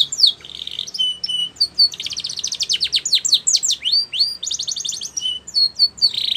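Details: Spanish Timbrado canary song for training: rapid trills of sweeping notes high in pitch, buzzy rolled phrases and short metallic whistles, delivered in quick bursts with brief pauses between phrases.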